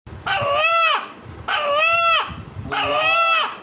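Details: Native-breed rooster in Bandar upazila, Narayanganj, Bangladesh, whose call is said to sound like 'Allah Allah' when about to be slaughtered: three loud, harmonic, slightly arched two-part calls, each under a second, repeated about every 1.3 seconds.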